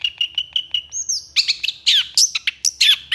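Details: Long-tailed shrike in lively, emotional song with long bursts: evenly spaced short chirps, then a high whistled slide and a jumble of harsh raspy notes and sharp chips.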